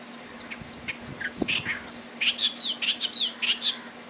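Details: Clamorous reed warbler at Bhigwan, December 2023, giving a run of loud, harsh, chattering phrases, each a quick rising-and-falling chirp, repeated rapidly in the second half after scattered softer notes; a steady low hum in the background.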